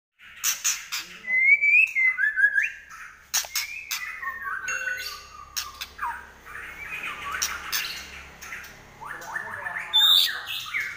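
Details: White-rumped shama singing in fighting mode with a rapid trotol-style delivery: slurred whistled phrases around mid pitch and short buzzy notes, broken by sharp clicks and knocks throughout.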